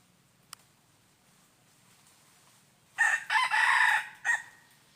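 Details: Wild red junglefowl recorded on 23 January 2022 while being lured with a decoy. After three quiet seconds comes a harsh crow: a short first note, a long sustained middle and a clipped final note.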